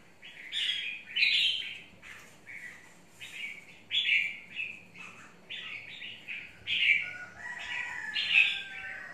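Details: Red-whiskered bulbul of the mộc type, caged in a long cage and described as very worked up; loud, bright, whistled phrases roughly every second, some rising and falling, with short gaps between them.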